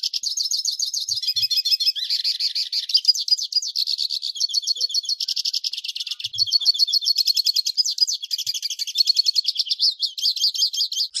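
Hooded siskin singing a long, rapid, twittering stream of high buzzy trills and chirps without pause, mostly very high-pitched.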